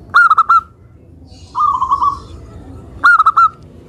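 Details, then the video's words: ['Local zebra dove singing to provoke rival doves: three sharp, clipped coos, then a softer rolling trill, then another set of three clipped coos, each group about 1.5 seconds apart.'] "Perkutut Lokal Suara Gacor - Untuk Pancingan"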